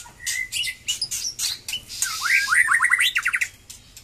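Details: White-rumped shama resuming song after moulting: harsh clicks open, followed by a quick run of rising whistled notes and a rapid stuttering series of repeated upslurs.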